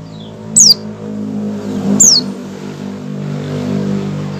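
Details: A white-eye gives its opening "ngecal" calls before full song, two thin, high descending chirps about a second and a half apart, over a steady low engine-like hum.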